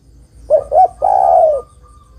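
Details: Female spotted dove calling the male: a single phrase of two short rising coos, then a sustained, low, rough coo lasting about half a second.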